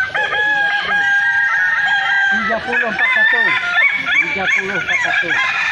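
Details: Crowing festival for Balenggek chickens in Kota Solok: dense overlapping rooster crows made of many short, quickly repeated arched notes, with faint voices underneath.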